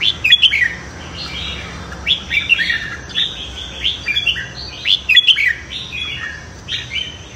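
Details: Red-whiskered bulbul in a morning singing duel meant to train the voice and fire up newly caught birds. Lively warbled phrases with quick upslurs repeat steadily, in a few louder peaks.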